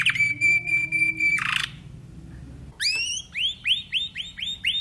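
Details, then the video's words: Timbrado canary holding a pure, level whistled tone for over a second, then falling silent. It resumes with sharp sweeps and a regular series of arched, swooping notes about four per second. "canary timbrado"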